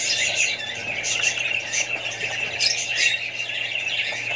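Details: Chattering Australian budgerigars, kept alongside other birds and babies, produce overlapping high squeaky notes and scratchy trills in a nonstop stream, a low mains-like hum underneath.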